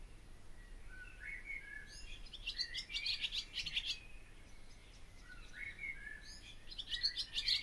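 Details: Barn swallow singing: a quiet low warble leads into dense, rapid twittering and scratchy chatter, in two bursts about four seconds apart, over faint low background rumble.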